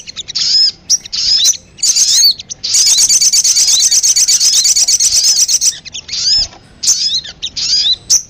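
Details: Brown-throated sunbird lure call for attracting birds. High twittering phrases of slurred whistles lead into a long, fast, even run of repeated ticking notes, then more short chirp bursts.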